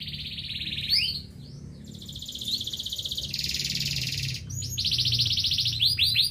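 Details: Local canary singing: bright rolling trills and sweeping upslurred notes, shifting between fast buzzy rolls and steadier repeated notes at different pitches, with a faint low hum behind.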